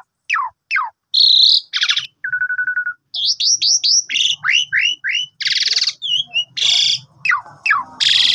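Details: Asian pied starling morning song for encouraging a sulking bird to sing, beginning with descending whistles and a rasp, followed by a flat trill, a series of curling chirps and closing harsh buzzes.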